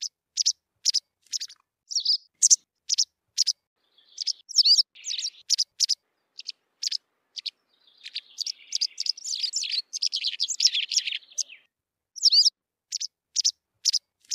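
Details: White wagtail song mixing evenly spaced, crisp high chirps with a long middle stretch of rapid, jumbled twittering, then returning to single sharp notes.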